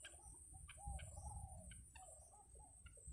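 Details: Wild yellow bittern chicks in the nest while the mother feeds them by spitting out food: short soft whistled notes, some slurred downward, scattered among dry clicks and rustling, over a steady high whine and low rumble.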